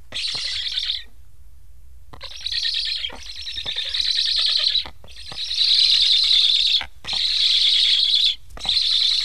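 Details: Black stork nestlings in Estonia, hungry and unfed after parents visit and leave, beg with long rasping, hissing wheezes in sustained bursts of one to two seconds, separated by brief silent gaps.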